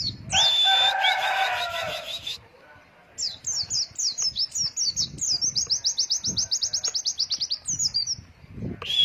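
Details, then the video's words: White-eye in the wild "wit wit" long-breath singing style, a tutor recording for young birds: a noisy burst with a high whistle, a short pause, then a long rapid string of sharp high chirps, ending with another whistle. "PLECI NGALAS WIT WIT NAFAS PANJANG"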